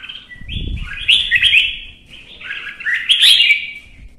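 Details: Red-whiskered bulbul in Vietnam singing fiercely in competition: a near-continuous rush of rich, slurred warbling phrases, with a dull thump near the start.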